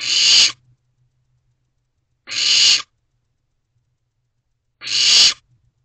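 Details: Begging barn owl chick in a nest box, recorded at 2:55 am on 15 May 2023 as it calls its parents for food: rasping hiss-screeches roughly every two and a half seconds, otherwise quiet.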